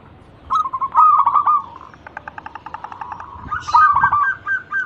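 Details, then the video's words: Local zebra dove, kept as a songbird, singing as a lure to coax other birds to sing: bursts of rapid pulsed cooing notes, some rising and falling, repeated in uneven phrases with short pauses. "Pancingan burung perkutut lokal gacor pintar merayu cepat bunyi"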